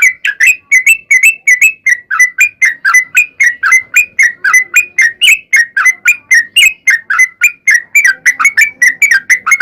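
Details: Long, unbroken sooty-headed bulbul song used as a lure to set bulbuls singing, a rapid stream of whistled notes that swoop up and down, several every second.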